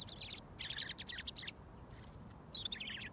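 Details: Close-range robin song, delivered while the bird waits to be fed mealworms; a burst of rapid scratchy notes, then a thin high whistle and a short twittering phrase.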